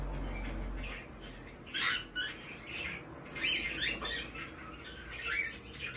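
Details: Hand-tame male White-bellied caique chick indoors in Fukuoka, Japan, 17 May 2024, giving short harsh squawks and rising chirps in irregular bursts, with quieter gaps and a low room hum beneath.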